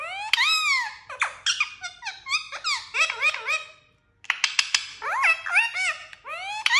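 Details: Talking parrot indoors, uttering rapid strings of squeaky, speech-like syllables with arching harmonic notes, a brief pause near the fourth second, then more chattering phrases.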